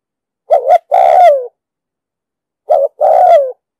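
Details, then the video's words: Spotted dove cooing in the 'đồng sấm' style for trapping and decoy training; two phrases about two seconds apart, a wavering double-note start leading into a long coo that drops in pitch at the end. "Tiếng chim cu gáy giọng đồng sấm,thúc gù bài bản,đi bẫy, tập bổi,kích mồi,dụ bổi cực sát"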